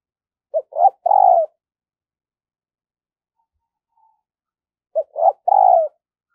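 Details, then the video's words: Spotted dove singing as a decoy to lure wild doves, two identical phrases about four seconds apart, each a short note, a rising coo and a long falling coo, clean recording. "Luyện Giọng Chim Cu Gáy Mồi Mỗi Ngày"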